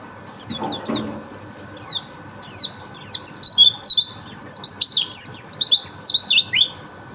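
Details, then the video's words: White-eye song: short, sharply falling whistles at first, then a quickening run of bright zigzag whistled notes, high and clear, linked into longer phrases toward the end, over a steady low hum. "Burung Pleci"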